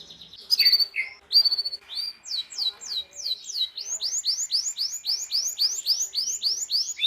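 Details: Canary song used to train young canaries to learn sounds and to get quiet birds singing. Sharp, varied chirps open into a long series of repeated, high, down-slurred notes, about three per second, steady and continuous.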